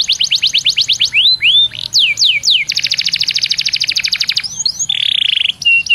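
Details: Canary singing as a lure to make other canaries sing: fast clipped trill, a few rising whistles, deep downward swoops, then a long rapid rattle and a brief buzzy phrase ending in short whistles.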